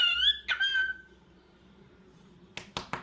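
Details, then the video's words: Pet cockatiel indoors giving a short bright whistled call with rising and falling harmonic tones over about half a second, a quick second note, then silence and several sharp clicks or taps at the end. "Adorable Cockatiel Crazy Bird 🐦 Cute Sounds n Movements 😍"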